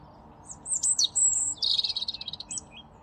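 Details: A European robin in a bare tree behind a hedge, Altonaer Volkspark, Hamburg, in March, sings a high, thin phrase of sliding whistles followed by a fast, sparkling trill, over a faint low background hum.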